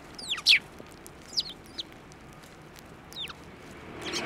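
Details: Sparrows flying onto a hand to be fed at a Tenmangu shrine, 15 March 2024: a few sharp, high, downward-sweeping chirps, scattered and separated by quiet gaps, with a soft rustle near the end.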